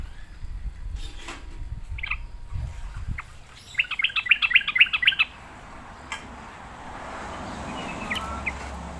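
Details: Sooty-headed bulbul coaxed into song: one brisk, bubbly phrase of rapid chirps lasting about one and a half seconds, set among rustling and background noise.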